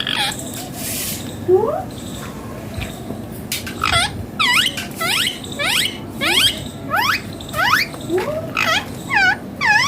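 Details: Newly acquired pet parrot with its owner: a run of sharp, hooked whistles that sweep up then drop, repeated roughly every half second, over a constant hiss of room noise and a few clicks.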